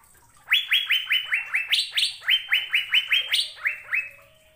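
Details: Asian fairy-bluebird song from a caged-bird training recording. A lively sequence of clear, rising whistles with two bursts of higher, brighter notes. The series ends in a short trailing note.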